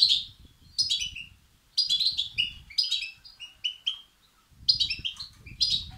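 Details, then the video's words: European goldfinch chicks giving begging calls, used to stimulate males: bursts of high, scratchy twittering notes in groups separated by short pauses, with faint low rumbling beneath. "بتبتة وستستات فراخ الحسون الأقوى لتحفيز وتهييج الذكور"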